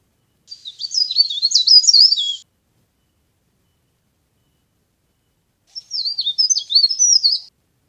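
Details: Trapping lure of a leaf warbler: two separate two-second phrases of sharp, high twittering, made of quick notes that flick up and drop down, with about three seconds of quiet between them and nothing else audible.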